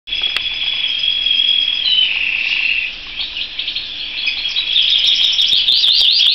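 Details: Canary singing: a long, steady, high whistled roll for about two seconds, then a lower warbling passage, ending in a fast, evenly repeated high trill.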